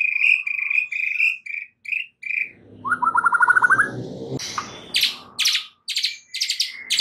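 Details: Captive white-rumped shama song meant to calm a stressed bird and spur it into vigorous singing: a run of clear repeated whistles, a rapid trill, then sharp high chips and varied whistled phrases.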